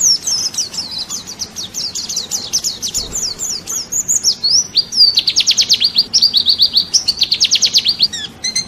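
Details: White-eye (pleci) song from a national champion bird, used as masteran training audio for songbirds: a continuous, very high, rapid twittering of thin chirps and trills. Dense chattering bursts rise and fall throughout, with a steady ticking rhythm in the second half.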